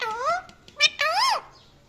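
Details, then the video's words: Parrot giving two loud harmonic calls, the first rising and levelling off, the second climbing then dropping sharply, with a brief squeaky note between them in a quiet indoor setting. "Funny Parrot Calling And Chirping Sounds"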